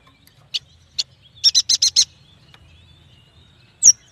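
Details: Yuhina, locally prenjak batu, giving scattered sharp chips followed by a tight run of five loud buzzy notes and a final high whistled note, with quiet pauses between.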